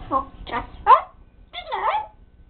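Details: Pet parrot talking indoors: three harmonic, speech-like syllables with shifting tones, then a longer rising-and-falling vocal phrase after a short pause, in a quiet room.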